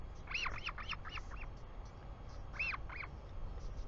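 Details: Royal albatross filmed by a New Zealand conservation nest camera on 24 July 2020, afternoon, as the father comes home: a fast run of five bright arched yelps, pause, then two more, over low wind noise.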